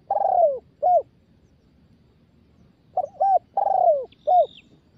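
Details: Spotted dove, a young bird being trained to coo, gives low hollow coos around the mid range: a long falling coo followed by a short one, then a pause and two more pairs, with faint higher chirps behind.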